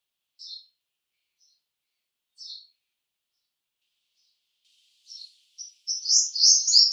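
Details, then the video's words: Purple sunbird: two short high chirps about two seconds apart, a brief pause, then a rapid, bright, high-pitched twittering song begins and runs to the end. "Song of Purple Sunbird"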